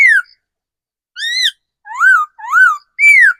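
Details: Decoy laughingthrush, matured in the wild forest, giving rich arched whistles: a falling note, then four rounded rise-and-fall whistles spaced about half a second apart, clean and unaccompanied.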